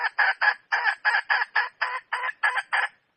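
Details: Wild red junglefowl hen giving a fast series of eleven loud, raspy, clipped clucks at roughly four per second, ending abruptly; nothing else heard.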